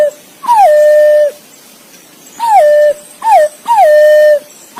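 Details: A green pigeon calling its mate repeats falling-then-steady whistles, five in under five seconds, some short and some drawn out, over a quiet background.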